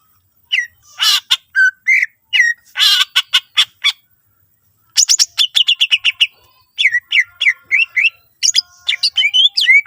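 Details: Greater green leafbird in rich full song used as a lure so other leafbirds sing too: harsh rasping bursts, sharp clicks, a fast chattering trill, then repeated looping whistled slurs.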